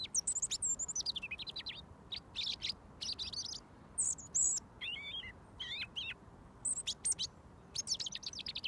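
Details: Close-up of a robin singing until fed mealworms, a routine kept for over a year. Long varied sequence of high, wavering whistles and tumbling phrases with short silent gaps.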